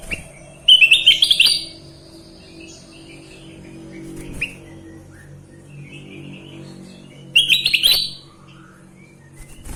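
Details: Sooty-headed bulbul in vigorous song: two loud bursts of fast, tumbling whistled notes about six seconds apart, with soft distant chirps and a low background hum between them.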